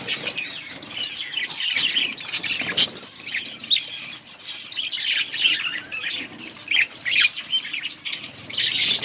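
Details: Breeding budgerigars calling as chicks are fed: rapid overlapping chirps and short warbled notes in irregular bursts, some louder squeaks standing out, with faint fluttering.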